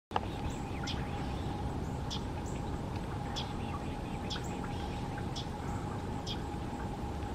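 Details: A common yellowthroat gives its characteristic short, dry chuck call about once a second as light rain falls, over steady rain hiss and a low, even hum.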